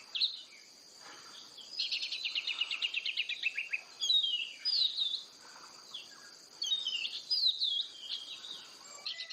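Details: Oriental magpie-robin (kacer) singing at length: a quick buzzy trill of repeated notes drifting lower, then clear varied whistled phrases with sharp slurs and twists, set against a continuous thin high-pitched hum.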